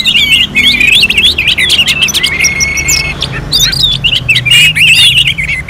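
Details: Song of the orange-headed thrush, recorded in contest-simulation style at Singaraja, North Bali: rapid twittering whistles and sharp chirps, with one long steady whistled note held near the middle, then more fast overlapping phrases.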